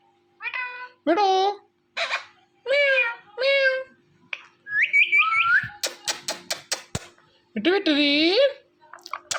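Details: Pet ringneck parrot indoors: a string of nasal, speech-like syllables, then a warbling whistled trill, rapid clicks, and a long voiced talking call over a faint hum.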